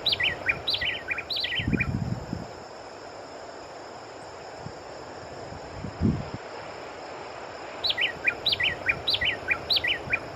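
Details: Long-billed wren song: two bursts of quick, clear whistled notes in short downward-stepping phrases, one at the start and one near the end, over a steady high hiss with a few low thumps between them.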